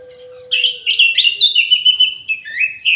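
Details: Orange-headed thrush kept in an aviary, singing vigorously: after a brief pause, a rapid stream of varied whistled phrases, some slurred and warbling, run together without break over a faint steady low hum.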